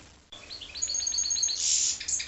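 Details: After a brief silence, a goldfinch × canary hybrid gives a quick ascending string of short chirps that merges into a loud, dense buzzy trill.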